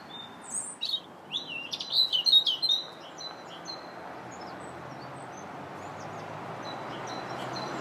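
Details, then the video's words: Robin song recorded in a park on March 2nd: a quick, scratchy-sweet jumble of high notes rising and falling for about two seconds, then faint distant chirps over a steady background rumble. "Robin Singing in the Park"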